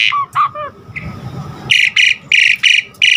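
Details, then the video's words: Asian pied starling song for training caged starlings to sing vigorously: opening whistled and slurred notes, then a run of harsh, buzzy, squawking notes repeated at an uneven pace, roughly every third of a second. "Pancingan Jalak Suren GACOR Isian Variasi Suara Burung Masteran Burung Jalak Agar GACOR Full Isian"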